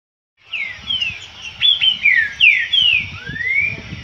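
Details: Green-winged saltator song in a dispute, a series of loud clear whistled phrases, slurred and descending or rising, given steadily for about three and a half seconds, with faint low background noise.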